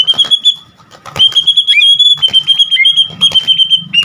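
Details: White-rumped shama song of high, thin sustained whistles with sharp clicking notes in between, delivered in quick bursts over a low hum.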